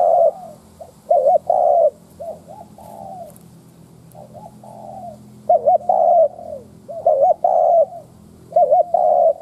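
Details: Spotted dove used as a decoy, cooing to incite wild doves. Five two-part coos with soft trailing notes between them, over a low constant hum.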